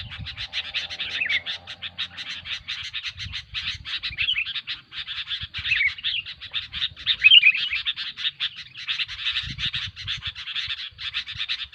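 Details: Sooty-headed Bulbul, noisy sound used to lure bulbuls for trapping: continuous rapid scratchy chattering with brief bubbly whistled slurs, one brighter near the middle, and faint low hum early on.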